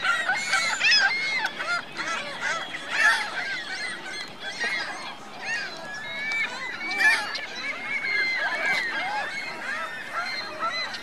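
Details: Geese and goslings calling at a lake in Reno, Virginia Lake: a long run of overlapping high peeps and honks in irregular bursts, with louder surges every few seconds from a crowded flock.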